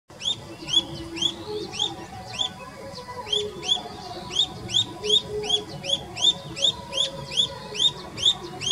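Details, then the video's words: A Himalayan bulbul (white-cheeked bulbul, Pycnonotus leucogenys) gives quick, bright chirping notes in rapid runs, several per second, with slurred upward-sweeping whistles over a soft background hum. "Himalayan Bulbul"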